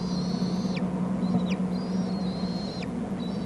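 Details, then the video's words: Bald eagle nestlings calling on Hornby Island as food is delivered: a rapid run of piping high whistles, some doubled, each finishing with a sharp falling slur, against a continuous low background hum. "adult to the nest with food; churbles not all that interested"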